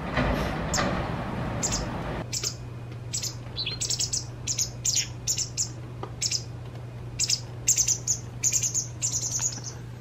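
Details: Young White wagtail just out of the nest begging as a parent feeds it to fullness: a brief rustling noise first, then many high, sharp chirps and quick trills, irregular and excited, above a steady low hum.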